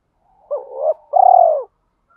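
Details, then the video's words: Spotted dove decoy, trained-decoy calling style: one brief phrase, a wavering rising note followed by a long steady burry coo, then silence. "Tieng chim cu gáy mồi gáy gọi vs thúc dùng tập bổi mới"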